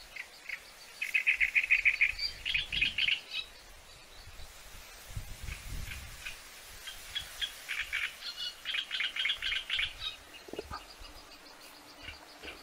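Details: Great reed warbler's loud grating song: rapid runs of harsh, churring, repeated notes in bursts separated by short pauses, continuing for several phrases amid outdoor hiss and low rumbling noise.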